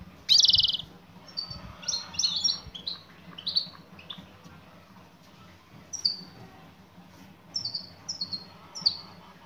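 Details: Female European goldfinch calling to a male: a loud high chirp opens, then short twittering, tinkling notes in clusters of two to four, with pauses between groups and a faint low hum underneath.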